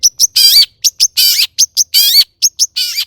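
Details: Long-tailed shrike in loud, varied song used to coax other shrikes into singing: short high chips mixed with longer harsh, rich phrases, a burst about every quarter to half second.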